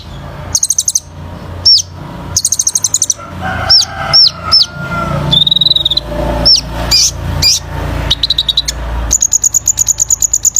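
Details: Vigorous song of a kolibri ninja sunbird, used for training birds: varied high ticking runs, whistled upslurs, a steady buzzy note and a long closing trill, with faint lower background sounds.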